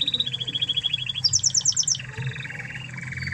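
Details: Spanish Timbrado canary from Spain, a master recording for training other canaries: rapid metallic trills shifting between pitch levels, a high fast rattle then a lower rolling trill, over a low background hum.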